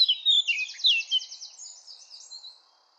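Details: Eurasian blackcap song: a burst of rich warbled phrases slurring downward, then a buzzy, rapidly pulsed high trill that fades out toward the end.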